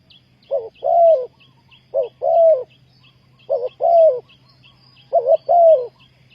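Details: Spotted dove luring wild birds for trapping, repeating its phrase about every one and a half seconds: a brief double note, then a sustained throaty coo. Faint high chirps and a low hum are in the background.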